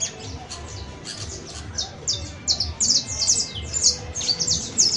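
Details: Canary singing on 31 December 2022, at year's end: a softer start, then dense, rapid bursts of high descending trills and chirps that grow louder and keep coming, over a quiet low hum.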